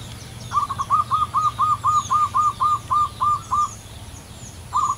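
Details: Local wild zebra dove singing vigorously with a long, crystal voice: a steady string of about twelve mellow, evenly spaced cooing notes at around four per second, a short pause, then a new phrase begins, with faint high birdsong and a low hum.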